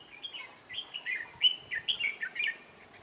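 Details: Red-whiskered bulbul, a trainee decoy bird used for trapping on 11/12/2016, singing to lure wild birds: a run of short, clear, warbled whistled phrases, rising and falling, repeated about every half second with brief gaps.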